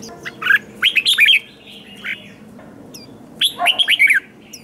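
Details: Red-whiskered bulbul, newly caught from the wild, in competitive song: two lively phrases of tumbling, warbled whistles, each with four or five looping notes, and a single short whistle between them.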